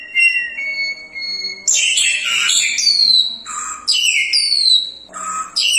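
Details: Crested myna, described as a rare bird, singing lively song: a few steady whistles, then a harsh burst and loud downward-sliding whistles alternating with lower buzzy notes.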